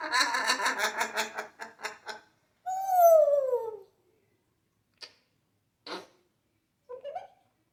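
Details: An African grey parrot doing imitations of noises, animals and Michael Jackson. Quick rattling pulses slow down and give way to a loud whistle that slides downward, then a few isolated clicks and a short squeak.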